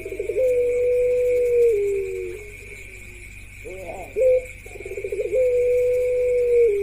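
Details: Pelung ringneck doves in a group that includes a single female: two long sustained coos, each opening with stuttered notes, separated by a brief burst of rough calls, with a steady hum behind.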